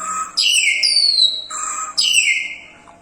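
A common hill myna gives loud, clear whistles, each sliding down in pitch, with a sharp rising note, repeated in quick phrases.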